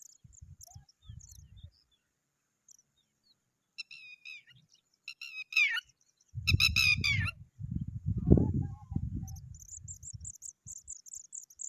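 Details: A pipit arriving with a huge worm gives thin, high chirps in a few quick bursts, over heavy low rumbling from wind or handling that comes and goes.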